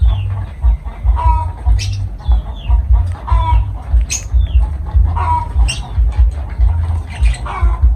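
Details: Pet lovebird parrots giving repeated rasping calls with a clear mid-pitched tone, roughly every two seconds, mixed with sharp high chirps, over a low rhythmic thumping background.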